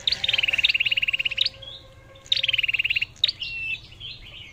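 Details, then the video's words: Lure-bird red-whiskered bulbul delivering two long, fast rattling trills of evenly spaced pulses, each opened by a sharp upswept note, then ending in a warbled whistle; a steady faint tone runs underneath. "tiếng hót chim chào mào mồi/sâu đầu đỏ cọp giọng AK"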